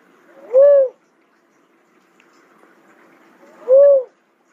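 A cuckoo-dove gives two low, hollow hoots about three seconds apart, each briefly rising then falling. Faint background hum between calls.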